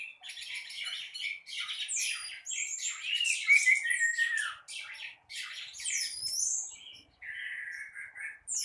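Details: Orange-headed thrush in full morning song, a continuous loud stream of rapid, varied phrases: harsh chattering notes, sweeping whistles and quick squeaky trills, broken by short pauses, ending with a steadier run of repeated notes.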